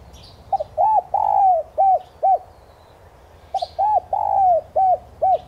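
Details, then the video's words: Spotted dove lure call for stimulating newly caught doves to coo: two cooing phrases, each a quick stuttered double note, a hooked coo, a long drawn-out falling coo, then two short hooked notes, separated by a pause. "Tiếng chim cu gáy mồi chuẩn thúc kích bổi nhanh nổi hiệu quả/cu gáy kích mồi tập bổi"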